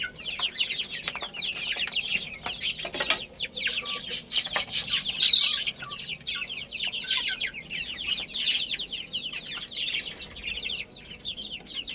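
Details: A crowd of chicken chicks chirping while they play and feed: shrill descending peeps tumble over one another continuously, louder in a burst around the middle, with brief clicking taps mixed in.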